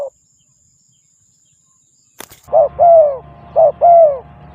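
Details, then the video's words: Spotted dove lure calls, where a short coo is cut off and followed by a handling clatter, then paired mellow coos, a short one leading into a longer falling one, twice over a low rumbling background. "Terkuku Pikat,Sound of dove bird,Cuckoo bird,spotted dove bird"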